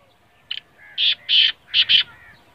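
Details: Kala teetar, the black francolin, giving its call: a short clipped opening note followed by four strong, rasping, high notes in a fast rhythmic phrase, with quiet surroundings.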